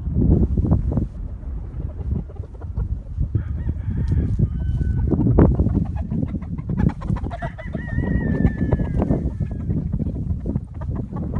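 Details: Chickens and a rooster: busy clucking and scratching, then a loud, sustained crow that bends downward near the end around the eighth second, over constant low background rumble.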